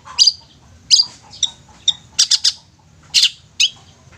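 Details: Long-tailed shrike song used as a lure to get silent shrikes singing vigorously: sharp high chattering notes in short bursts, some doubled or tripled, spaced by brief pauses, over a faint low hum.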